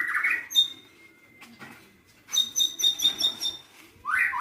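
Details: White-rumped shama singing a varied song: a burst of rich slurred notes, a thin sustained whistle, then a fast series of bright repeated whistled notes and another slurred phrase at the end.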